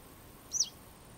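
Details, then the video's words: Western yellow wagtail giving a single thin, high call note that arches up and then slurs down, clear against a quiet, faintly hissing background. "Желтая трясогузка - Yellow wagtail"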